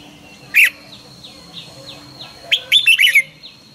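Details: Red-whiskered bulbul trained to sing in the morning: one loud clipped note, then a rapid phrase of four or five bright, rolling whistled notes, with faint repeated chirps of other birds behind.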